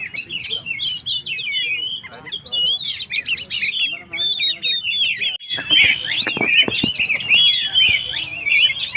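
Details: Oriental magpie-robin in excited song, played to provoke stressed birds: rapid chattering whistles and trills, a short pause midway, then loud sharp notes and buzzy bursts.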